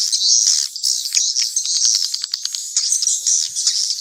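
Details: Mixed swiftlets call in a high, sizzling stream of twitters. Separate sharp chips and clicks repeat in quick runs across the middle of the recording.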